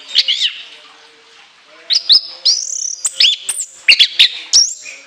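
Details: Piercing high phrases from an orange-headed thrush: after a short quiet spell come sweeping whistles, sudden sharp bursts and bright looping notes in a shrill, varied fill.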